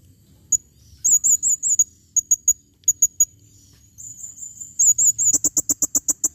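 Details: A calling female blue-crowned hanging parrot gives piercing high, thin tsee notes, spaced and then run together, ending in a rapid series of sharp, clicking chips.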